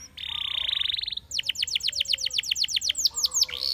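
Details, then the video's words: Spanish Timbrado canary song: a steady buzzy rolling trill followed by a rapid series of descending slurred notes, with some background noise. "Spectacular Spanish Timbrado Canary, This Canary Invites All Birds to Sing"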